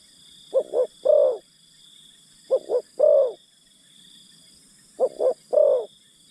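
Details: Decoy spotted dove luring wild birds: three evenly spaced cooing phrases about two and a half seconds apart, each a pair of clipped notes and a longer rounded coo, with a continuous high-pitched drone in the background.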